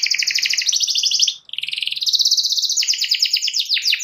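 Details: A canary pours out fast, high rolling trills that shift between phrases, with only a brief break partway through; the bird is kept to sing and prompt rival canaries to sing along.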